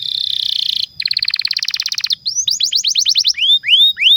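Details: Singing canary used as a lure for young and non-singing canaries: a tight buzzy trill, then a very fast rattling roll, breaking into clear looping whistles that slow toward the end.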